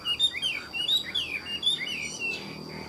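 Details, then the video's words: Caged hwamei singing at midday: a rapid run of varied, clear whistled phrases that slide up and down, some slurred and some clipped, with a faint steady high tone in the background. "Họa mi hót buổi trưa"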